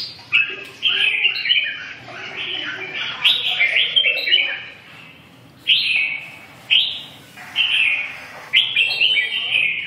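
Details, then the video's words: Red-whiskered bulbul song: short bursts of bright, warbling phrases, each lasting about a second and separated by brief pauses. "chim Chào mào"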